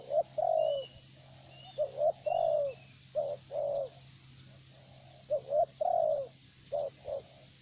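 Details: Vietnamese decoy spotted dove of the favoured thổ bầu kind calls in a steady series of soft, hollow coos, short doubled notes alternating with longer falling ones. Faint high bird chirps sound in the background over a low hum.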